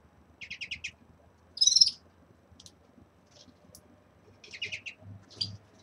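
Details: Red-fronted serins kept in a cage at the start of their moult; quick trilled bursts of high twittering notes come in short rapid series, with a louder buzzy note in between and soft chirps scattered through.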